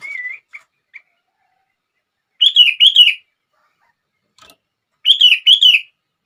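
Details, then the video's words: Sooty-headed bulbul song aimed at triggering other bulbuls to sing: a soft wavering whistle and two faint clicks at the start, then two paired phrases of bubbly, rolling notes spaced about two seconds apart. "100% Langsung Ikut Gacor...!!! Kutilang Lain gak bisa diam saat mendengar suara ini!!!"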